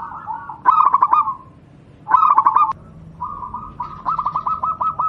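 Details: Local wild zebra dove singing as a tutor song for training other doves: mellow cooing phrases broken into rapid staccato pulses, three phrases in five seconds, the last a long even run of beats.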